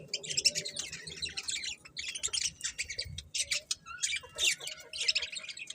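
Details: Several budgerigars chattering: dense, rapid high chirps and warbles packed together in bursts, with brief pauses and a faint low hum beneath.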